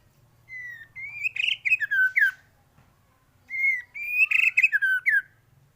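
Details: White-rumped shama in vigorous, full-variation song, used as a master recording for training other birds to sing; two bursts of clear whistles sliding up and down, then quick rippling notes, with a short pause between phrases.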